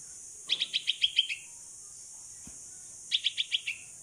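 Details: Young pet bulbul (pulangga), saved from a cat at 16 days old, calling its mother as it practises flying: a run of seven rapid high chirps ending in a trailing note, a pause, then a shorter run of five.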